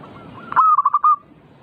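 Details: Zebra dove (perkutut) song used to provoke other doves into frequent singing: a quick run of five soft, mellow cooing notes at one steady pitch, the last slightly drawn out, over a faint low background hum.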